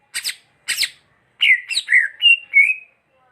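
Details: Greater green leafbird: two rasping buzzy squawks followed by a string of five mellow, warbled whistles that rise and fall, the last ones slightly higher and drawn out.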